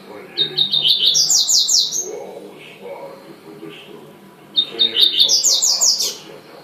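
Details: Two full phrases from a double-collared seedeater, each a string of sharp high notes building into a rapid, sparkling trill, with soft murmuring in between.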